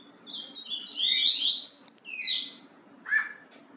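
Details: Bahia-type song of a yellow-bellied seedeater, a bright rapid run of high twittering whistles and slurs for nearly two seconds, then a brief pause and a single lower falling note.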